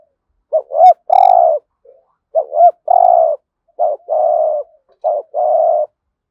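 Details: Lure spotted dove in 'hạp bổi' voice giving the 'thúc gù' calls used to attract wild doves. Four close phrases, each a short rolling double note and then a sustained low coo. A brief faint high chirp comes near the start.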